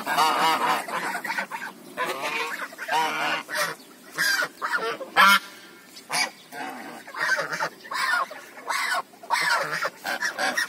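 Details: African geese giving loud, nasal honks in uneven bursts, several birds overlapping, with brief quiet gaps between calls.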